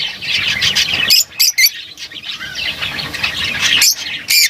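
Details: Busy lovebird chatter: overlapping scratchy twitters with several loud harsh squawks standing out.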